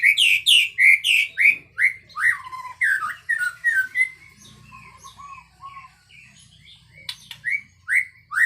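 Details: Loud white-rumped shama song: a rapid series of clear, down-slurred whistled notes, about three per second, softening into quieter chattering notes before a few more strong whistles at the end.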